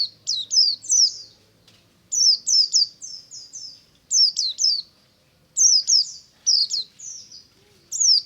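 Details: White-eye singing in ngalas style in the morning: bursts of high, sharp chirps and short descending whistled notes, four or five per burst, repeated every one to two seconds with short pauses.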